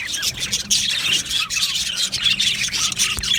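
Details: Australian budgerigars chattering together in an aviary, a steady stream of thin high chirps, squeaks and short warbled notes from many birds, plus a faint low hum.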